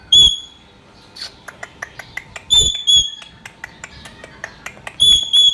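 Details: Pet Indian ringneck parrot giving loud, clear high whistled notes, some doubled, at intervals of a couple of seconds, with soft clicks and chatter in between.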